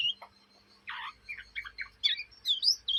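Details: Young Oriental magpie-robin from Kalimantan, Indonesia, in ngriwik chatter: scratchy rasping notes and short mumbled twitters, then bright high whistled phrases near the end, with a steady low hum in the background.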